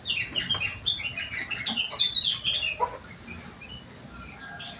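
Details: Sooty-headed bulbul (kutilang) with an isian song filled with rengganis and cucak wilis phrases: a busy run of quick chirps and short whistled notes, rising and falling, delivered in a rapid, uneven stream, then thinning to faint high notes.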